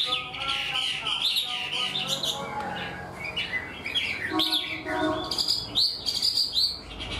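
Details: A freshly wild-caught Chinese hwamei in a cage sings a structured song like a tame bird. Rich warbled and whistled phrases come in bursts, while voices and a few sharp clicks are heard alongside.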